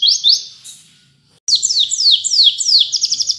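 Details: White-eye training-song recording ("wit wit cerr", canary-like style): high, thin descending whistled notes in quick succession ending in a rapid trill; the phrase breaks off briefly and then resumes.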